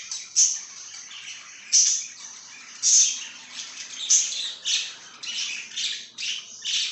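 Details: Budgie chirping: a steady stream of high, scratchy chirps and warbled twitters with sharper squeaky accents about once a second, fairly even in loudness throughout.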